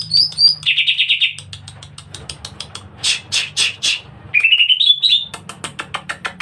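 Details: Agile, aggressive fighting-style song of a greater green leafbird. Two high whistles, then a fast buzzy trill, scattered chirps, harsh noisy bursts, a rising whistled run and quick repeated chirps, over a steady low hum.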